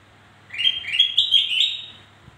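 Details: Black-crested bulbul, used to lure other birds that are slow to sing: one short burst of bright, slurred chirpy notes stepping upward, lasting under two seconds, over a faint low hum.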